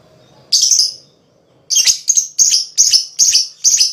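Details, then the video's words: Lovebird calling to stimulate other lovebirds to sing: one shrill chirp, a pause, then five sharp high chirps spaced about every half second. "Suara LoveBird Terapi,Rangsang Lawan Cepat Ngekek,LoveBird Ngekek Gacor"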